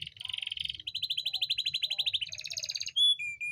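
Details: Canary song to bring reluctant hens into breeding condition: fast rolling trills at steady pitch, one stepping higher, then short pure whistles.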